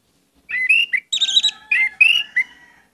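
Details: Orange-headed thrush singing a varied phrase with many inserted notes, used as a lure: a continuous run of clear whistles, buzzy trills and high twittering figures lasting about two seconds.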